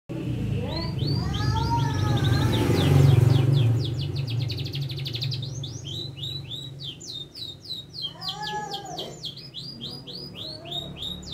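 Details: Canary in full song, described as learning to shake its head: varied chirps and sweeping notes, then fast buzzy trills repeated in rapid series, with a steady low hum underneath.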